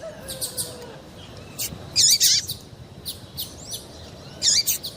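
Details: Calling female double-collared seedeater, used to make males sing for contests; a few high chirps and two loud buzzy notes with wavering tails, spaced apart.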